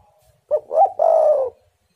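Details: Spotted dove used to lure wild doves into singing: one complete low phrase, a short hoot, a rising double note, then a long even coo lasting about half a second.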